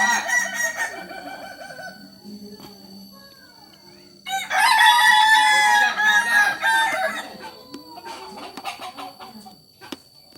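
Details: Native Solok Kukuak Balenggek cock crowing: a long wavering harmonic crow at the start, then a loud, rough, broadband crowing burst around the middle, trailing into softer fading notes amid background noise.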